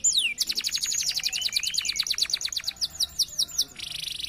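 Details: Canaries singing hard at a bird farm, kept as a lure for other birds: a steady, rapid trill of repeated high notes with sweeping whistles overlaid, ending in a dense buzzy burst.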